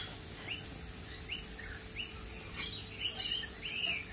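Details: Lorikeets repeat short, sharp, high chirps about every half second to one second, with fainter twittering from other birds behind them.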